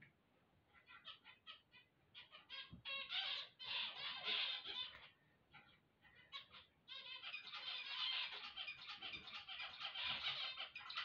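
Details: Zebra finches singing on waking: a dense chorus of nasal, buzzy chattering notes and rapid harmonic beeps, rising to continuous overlapping bursts with a brief lull in the middle.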